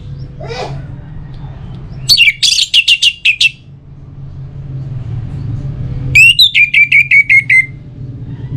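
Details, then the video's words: Orange-headed thrush song from Singaraja, Bali, used to encourage other birds to sing: a faint swirl, then a string of loud clipped notes, a pause, and a series of about eight repeated descending whistles. "ANIS MERAH Untuk Suara Pancingan Burung Agar Rajin Bunyi Ngeplong Pagi sampai Sore Hari"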